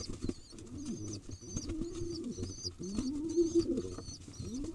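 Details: Wild baby pigeon in Israel being fed by an adult: thin high squeaky notes repeated about twice a second, over low bowed cooing phrases from the feeding birds.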